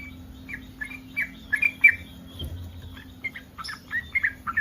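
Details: Yellow-vented bulbul in breeding condition, a call meant to provoke other bulbuls into answering: short bubbly notes repeated in irregular bursts, quieter in the middle, with a faint low hum beneath.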